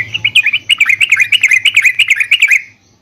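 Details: Yellow-vented bulbul in a cage, its song meant to make other caged birds answer. A single fast, bubbly, warbling phrase of about two and a half seconds, with a low hum beneath it.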